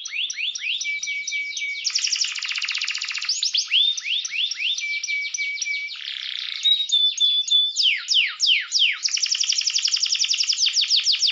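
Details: Canary song played to provoke rival birds into agitated singing: a dense, unbroken run of rapid rising and falling sweeps, buzzy rolling trills and short flat whistled tones, changing pattern every second or two, with no other sounds.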